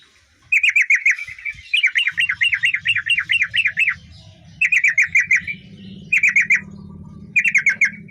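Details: Singing male trucukan (yellow-vented bulbul): repeated bursts of fast, rolling, wavering chirps, one long warbled run in the middle, over a steady low hum.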